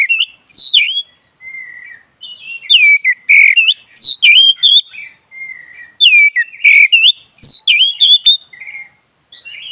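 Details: Oriental magpie-robin of the black-breasted form, lured into lively singing, pours out loud varied whistles, upward-sweeping notes and trills in quick, tightly packed phrases repeated over about ten seconds.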